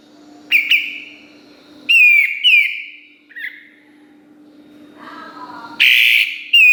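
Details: Kapas tembak on a master recording for teaching songbirds such as white-rumped shamas. Clear downslurred whistles and sharp shots sound in separate bursts, with a buzzy, harsh phrase near the end.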